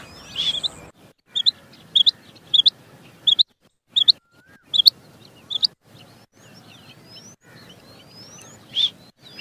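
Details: Rain quail giving clear calls, linked to quail hunting: crisp high doubled notes about every half second in a short burst, a pause, then a few more.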